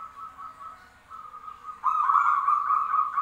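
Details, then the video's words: Zebra doves answering each other, a steady mid-pitched purring trill that holds level, then a second, louder and rougher trill breaks in partway through and carries to the end. "suara perkutut bersautan"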